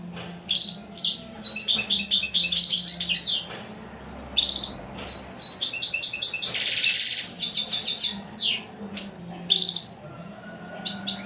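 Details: European Goldfinch, hailed as a royal, unrivalled singer, performing an extended rich song of rapid buzzy trills, liquid twitters and sharp descending whistles, including one harsh rasping burst, over a steady low hum.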